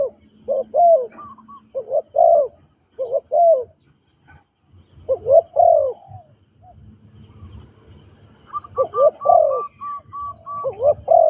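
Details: Trained spotted dove kept captive as a ground decoy utters paired low coos at a steady pace, pauses briefly, then returns with a longer, fuller run of coo notes.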